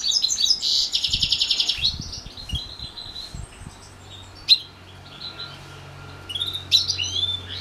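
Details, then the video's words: Hybrid of house finch and canary in song during a morning training session: bright rapid trills and warbled notes at the start, then sparse sharp chirps with a low steady hum and soft thuds behind. "Housefinch x Canary Hybrid"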